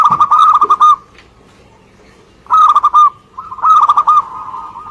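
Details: Local zebra dove from Indonesia in full song, giving stuttering bursts of quick, rolling coo notes in groups of five to seven, with a pause of over a second between the first and later phrases.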